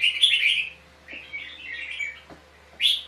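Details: Red-whiskered bulbul dueling song recorded while trapping: a loud chattering whistled phrase, a softer drawn-out warble, and a bright chirp at the end, with light taps in the background.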